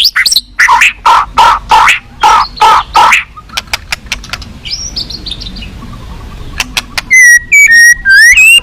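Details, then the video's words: At a song contest, a white-rumped shama described as fierce with rich fill-in phrases gives a series of harsh, rhythmic chattering bursts, then scattered ticks and faint high notes, ending in clear ringing whistles. "siapa di gantang burung ganas full isian mewah"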